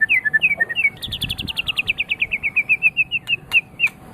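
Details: White-rumped shama song used as a training recording for other songbirds: quick repeated whistled notes, first a few slurred phrases, then a long steady series of bright chirps about four per second.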